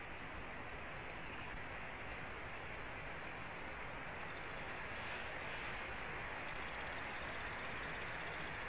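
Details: Steady broadband hiss with no animal calls, only a constant background roar.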